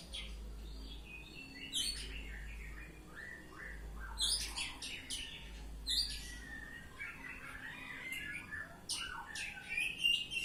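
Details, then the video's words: An Oriental magpie-robin sings ngeplong style, with varied whistles broken by harsh rasping bursts every couple of seconds over a faint steady low hum. "Kacer Ngeplong"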